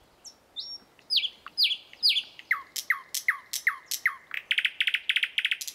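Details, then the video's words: Thrush nightingale singing in the morning: a few high whistled notes, then loud sliding whistles. A run of sharp descending notes repeats about twice a second and ends in rapid, dry, rattling bursts. "Nightingale song Утреннее пение соловья Спів солов’я"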